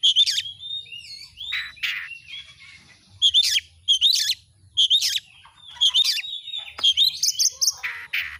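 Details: Oriental magpie-robin tutor song for kept birds: pure whistled notes each followed by a rasping burst, repeated roughly every second, ending in a dense tumble of chips and buzzes.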